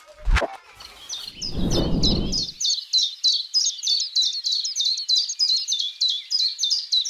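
Common Chiffchaff song: high, even 'chiff-chaff' notes repeated about three times a second, alternating slightly in pitch. A brief thump and low rumble come early.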